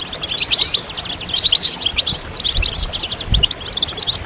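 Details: Group goldfinch chatter intended to encourage other goldfinches to sing: dense run of rapid high chirps and clicking trills, brief pauses, a few low thumps in the background.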